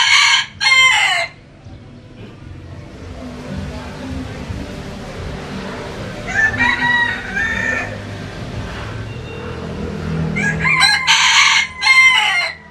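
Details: Rooster crowing close at the start and again near the end, each a harsh multi-part phrase. A softer, more distant crow sounds in the middle over steady background rumble.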